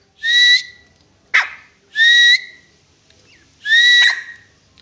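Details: Grey francolin delivering three strong, upslurred whistled notes about every second and a half. A short sharp click sounds between the first two.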